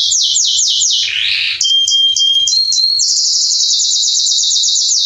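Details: Male Belgian canary song for warming up a canary: quick falling chirps, a blurred swoop, thin whistled tones, then a long even rapid trill held at high pitch.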